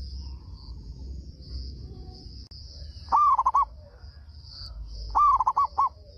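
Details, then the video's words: Local zebra dove from Indonesia in full voice, singing loudly so other doves reply: two songs about two seconds apart, each a rising coo followed by a run of short, stuttering coos, with a continuous high droning hum. "PERKUTUT LOKAL GACOR SUARA BESAR PEMANCING PERKUTUT LAIN PADA NYAUT"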